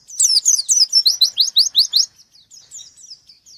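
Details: White-eye singing hard and seeking a rival, giving a dense burst of high chattering notes that runs into a fast train of rising whistled strokes, then trails off in softer thin twitters.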